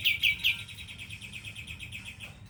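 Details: Sooty-headed bulbul delivering 'tembakan' song: a quick train of bright, high repeated chips that starts loud and steadily fades over two seconds.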